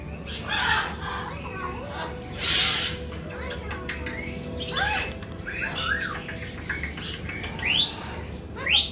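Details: A calm, laid-back male Bare-eyed cockatoo (Little corella) gives harsh, scratchy squawks and short rising screeches at irregular intervals, with some chatter and voices in the background.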